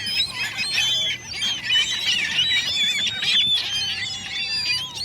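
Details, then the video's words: Gulls calling in a dense overlapping chorus, many high squealing and mewing cries running together without pause, with a low background rumble. "Seagull noises"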